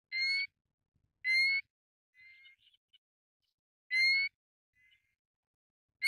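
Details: Pacific golden plover calls recorded in Taiwan: loud rising whistled notes repeated irregularly, with softer shorter whistles in between and another call beginning at the end.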